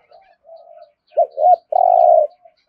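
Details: Spotted dove 'thúc gù' cooing in the rolling 'thổ rền' voice: faint soft preliminary notes, then two short bent notes and a long, loud, purring coo.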